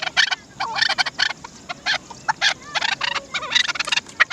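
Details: Chukar partridge, known locally as the Dasi chakor, calling in a fast, uneven run of harsh, clipped chak notes. The notes come in bunched bursts of two to four and repeat steadily for the whole stretch, with no other clear sounds.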